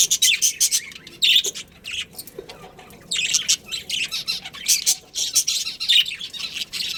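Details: Budgerigar breeding pair in a colony chattering constantly: a busy, warbling stream of high, scratchy chirps and twitters in uneven bursts, with short quieter gaps between phrases.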